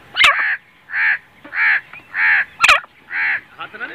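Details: Grey francolin (teetar) in Pakistan calling. Loud, harsh, grating notes are repeated about every half second, with sharp clicks and a man talking briefly near the end.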